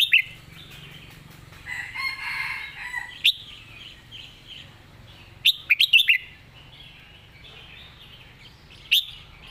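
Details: Competition red-whiskered bulbul giving master song phrases: a few isolated sharp notes, then a quick run of four whistled notes, over another bird's hoarse call and faint chatter.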